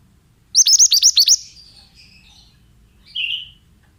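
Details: Oriental magpie-robin male, used for bird therapy training: one rapid run of about eight piercing high chirps, followed by soft fading notes and a single short buzzy note near the end.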